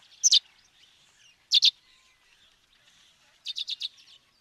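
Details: Sparrow recorded in Africa giving paired, sharp chirps twice, then a faster series of four softer chirps, against a low murmur of distant birds.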